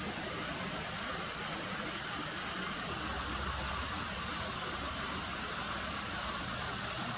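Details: Common kingfisher calling with a fast, irregular run of short, piercing whistles, some doubled or tripled, steady high pitch, over a low hiss.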